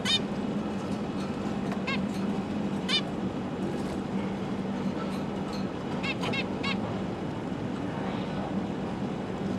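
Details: Zebra finch parents busy feeding three juvenile and three newborn young indoors, December 2022; bright nasal beeping calls, some doubled, spaced irregularly, with a low droning hum underneath.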